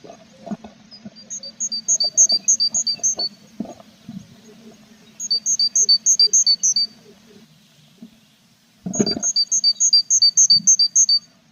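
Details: Tits at their nestbox with feathering chicks, 21 April; three fast runs of high, evenly spaced doubled notes, each about two seconds long, with faint knocks and rustles from the nest between them.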